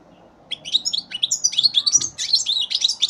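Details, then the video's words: Young European goldfinch, three months old, recorded in 2015, delivering a fast, continuous twittering warble of sharp chirps, trills and buzzy slurred notes that starts after half a second and runs unbroken, with faint background rumble. "Φετηναρι 2015 καρδερίνα"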